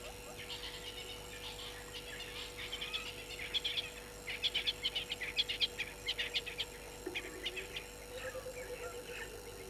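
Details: Francolin at Gowrie dam waterhole, Djuma Game Reserve, Sabi Sand, South Africa, at 18:00 on 21 October 2021: a series of harsh rapid bursts that grows louder and then fades, over a faint steady hum.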